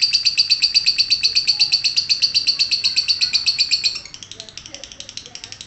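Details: Lovebird in ngekek song: a fast, even string of sharp high chirps, about four per second, held steadily for roughly four seconds before the calling drops to a softer, thinner chatter.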